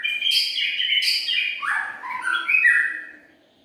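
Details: Lure song of the white-rumped shama: a short, dense run of sweet whistled notes that steps downward and then rises again, with a couple of brighter high notes before it trails off.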